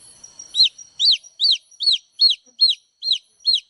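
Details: Baby chicks chirping steadily: eight loud, piercing peeps, each dropping downward, repeated about every half second over a clean, quiet background.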